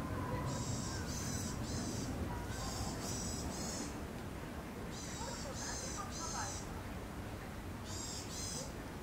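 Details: Eurasian sparrowhawk, a natural monument species, at a site where a pair was seen mating in mid-April 2021 and later failed to breed; harsh, buzzy, harmonic notes in bursts of three, repeated several times, over steady low background noise.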